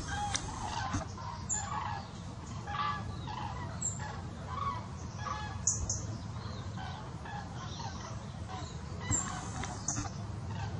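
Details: A flock of common cranes migrating south on the afternoon of 1 November 2015, around 15:33, gives loud, rolling trumpet calls that overlap throughout, over a steady low rumble of wind.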